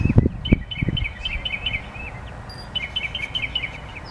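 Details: Bird repeating small, bright chirps in two bursts separated by a short pause, several notes per second; a few loud low knocks near the start and a quiet outdoor hum.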